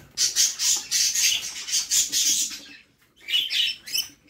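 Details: Budgerigar chicks in a nest box being fed by their mother; rapid, harsh, raspy chirps in pulsing bursts about every quarter second, a pause, then a renewed burst of scratchy begging.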